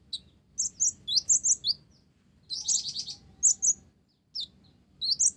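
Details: Olive-backed sunbird singing eagerly with Java sparrow phrases mixed in: clusters of high, sharp twittering notes, a short rapid buzzy burst mid-phrase, then pauses before more chips.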